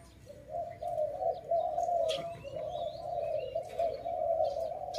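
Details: Dove calling loudly in a bird-trapping setting: a steady low hum broken into soft cooing phrases, with faint higher chirps from other birds in the background.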